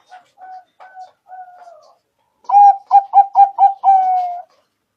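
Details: Perkutut (zebra dove) song played as a trapping lure. It opens with soft, low, drawn coos, then five punchy rapid notes, and closes with a long, slightly falling final coo.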